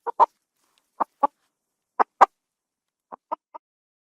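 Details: Farm chicken giving short, abrupt clucks, mostly in close pairs, with about a second between groups and a softer trailing triple at the end; otherwise quiet henhouse background.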